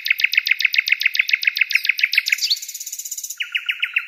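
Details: Songbird delivering a fast, even series of bright chirped notes, then a high thin twitter and a lower run of clipped repeated notes near the end.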